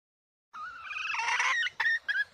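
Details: A wild female red junglefowl gives one drawn-out, harsh, nasal squawk, then three short clucking notes about a quarter-second apart. No other sounds intrude.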